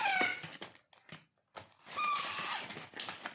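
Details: While being hand-fed, a pet Alexandrine parakeet chick makes short, thin, whistled begging notes. Noisy scraping and rustling from the feeding are heard alongside.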